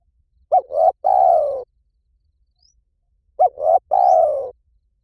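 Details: Spotted dove cooing in the Liw Tan style for training a dove to call back: two clean phrases about three seconds apart, each a short double note leading into a long, husky, downward coo.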